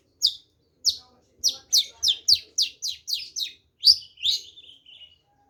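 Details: Long-tailed shrike giving a series of about eleven sharp, harsh, downslurred high notes, spaced evenly at first, then ending in a buzzy chatter. The background is quiet.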